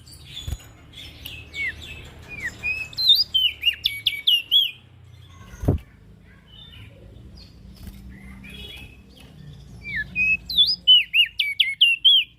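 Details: Ashy prinia calling vigorously, used as a lure for small birds: two bursts of rapid, sharp, down-slurred and hooked notes, about four per second, separated by a quieter stretch with low background rumble.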